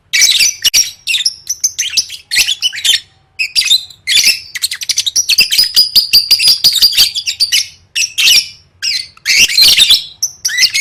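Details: Lovebird in full chattering song used as training for singing contests, a dense stream of shrill, high squeaky chirps and harsh squawks in rapid bursts with brief pauses, loud and close.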